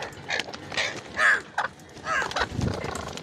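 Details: Ringneck parrot chattering in a run of varied, voice-like squawks and rising and falling notes, one clear, piercing squeak in the middle, with some low background rumble near the end.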